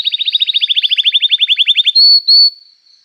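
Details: Canary in full song, used to spur silent canaries into singing: a rapid run of about twenty short chirps at an even pace, then two long, clear, high whistles, fading out.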